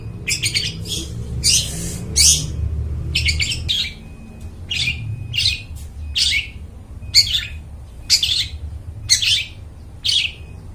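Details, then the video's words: Long-tailed shrike singing vigorously as a forest bird lure: an opening cluster of harsh rasping notes, then single grating bursts repeated roughly once a second, over a low continuous hum. "cendet gacor, suara plong bening cocok buat pikat burung dihutan"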